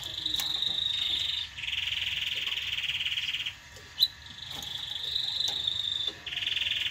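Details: A canary sings, played to tutor young birds and stimulate breeding: long, high, rapid rolling trills, each tour one to three seconds, with a brief pause and a sharp click midway.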